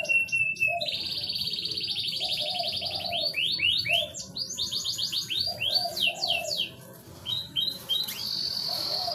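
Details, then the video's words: Canary singing as a breeding lure for a reluctant bird: a long, steady rapid trill, then repeated swooping whistled notes and a final buzzy trill, with a soft lower tone underneath. "Pancingan kenari susah birahi"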